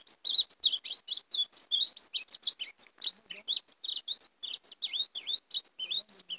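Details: Greenfinch kept as a lure for catching wild greenfinches, delivering a fast, continuous run of sharp twittered chirps and small trills, each note clipped and bright, with barely a pause through the phrase.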